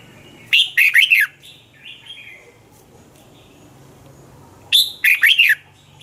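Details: Red-whiskered bulbul song from Thailand, used to excite caged birds: two bright, bubbly phrases of four or five quick warbled notes, about four seconds apart, with soft faint notes between them.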